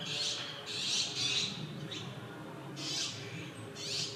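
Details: Male Japanese sparrowhawk in a park's mixed woodland on 10 May 2021, having caught prey and calling the female, who does not come; harsh, high, noisy bursts come in pairs and singles with short gaps.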